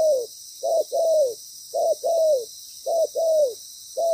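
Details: Loud spotted dove decoy calling during ground trapping. The bird is moulting and seems wary. Mellow coos repeat in short-then-long pairs that fall slightly in pitch, roughly once per second, with faint steady hiss behind.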